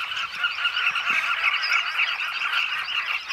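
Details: Southern carmine bee-eater (Merops nubicoides) colony back at nesting holes burrowed into a Zambezi River bank, Zambia: dense chorus of many overlapping throaty, rolling calls in a steady mid-pitched din.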